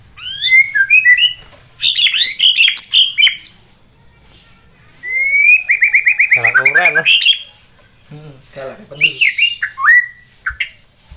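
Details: Energetic white-rumped shama song used as master material for training other birds, in bursts of varied whistles, fast buzzy trills and sweeping notes, with a steady run of repeated rising notes in the middle.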